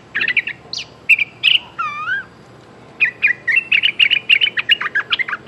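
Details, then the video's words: Streak-eared bulbul calling for a mate: clusters of quick, bright chirps and warbles, a brief wavering whistled sound in the middle, then a fast, steady run of sharp repeated notes to the end. "Suara pikat merbah lekir"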